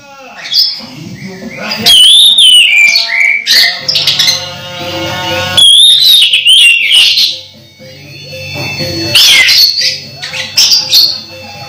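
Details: An Orange-headed thrush about to moult keeps up vigorous song, long flowing sequences of looping whistles, high thin notes and chattering trills, with a steady low hum underneath.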